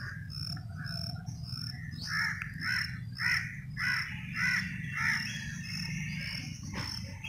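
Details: Birds in a forest: a harsh note repeated about every half second for several seconds over a steady low rumble, with a thin high whistle-like tone running throughout.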